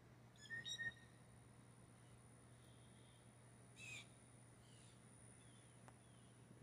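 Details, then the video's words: Blue jays in a mating display, several taking turns competing for one female with whistles and chatter: two short, clear whistled notes with rich overtones open the recording, followed by a brief harsh burst over a steady low hum. "Listen To The Blue Jay's Mating Call"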